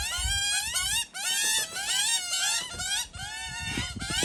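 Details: Young magpies, a pair hidden in a tree, begging incessantly as attentive parents bring food: almost continuous overlapping rising squeals with rich harmonics, barely pausing, with a few soft low thumps beneath.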